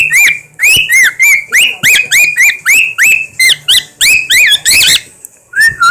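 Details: Pet bird wolf whistling and making odd noises, a rapid run of loud, rising then falling whistled notes repeated about three times a second, some harsher buzzy notes near the end, ending with a softer falling whistle.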